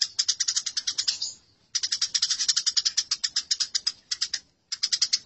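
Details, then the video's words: House sparrows in a fight, from a masteran recording: three rapid bursts of harsh, high-pitched chirping chatter, each lasting one to two seconds, divided by brief gaps. "Masteran Gereja Tarung"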